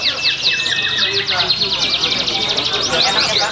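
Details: Canary singing at a bird-singing competition in Pringsewu on 22 September 2019, where it still earned a winner's nomination: dense, fast high trills and rolling chirps sung without pause, with other canaries overlapping and faint voices underneath.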